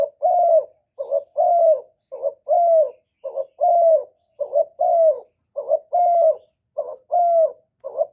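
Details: Spotted dove cooing to stimulate other kept doves, recorded cleanly with no background noise: a steady, regular run of about seven paired coos in eight seconds, each a short burry note then a longer soft falling coo.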